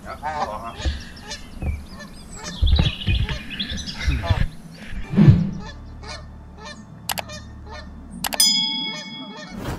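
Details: Geese gathered on a walking trail, honking loudly as a group: rough, nasal honks crowd the first half, then fade, leaving low rumbling, scattered clicks and a short ringing tone near the end.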